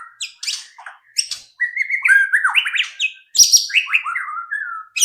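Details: White-rumped shama singing, used as a lure to set other shamas singing: a rich, varied run of whistled slurs and sharp chirps, phrases jumping between low and very high notes with brief pauses.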